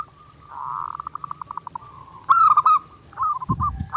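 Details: Zebra dove (perkutut) singing vigorously as a clear training master: a drawn-out coo becomes a rapid pulsed trill, then broken bubbling notes. A brief low thud is heard near the end.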